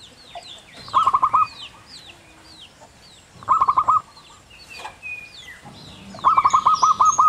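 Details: A wild local zebra dove (perkutut) sings its "kung" song in three bursts of rapid, hollow cooing notes, the last one longest at about seven notes, while other birds chirp and whistle at higher pitch.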